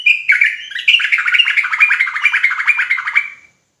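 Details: Agitated sooty-headed bulbul from Indonesia pouring out a dense, continuous warbling chatter of rapid whistled and buzzy notes for over three seconds, without clear pauses.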